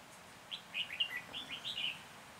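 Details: Red-whiskered bulbul acting as a trapping decoy in Hòa Bình, Vietnam, recorded 14 January 2021; a lively phrase of about eight rapid, warbling, up-and-down notes lasting nearly two seconds, with low hiss behind.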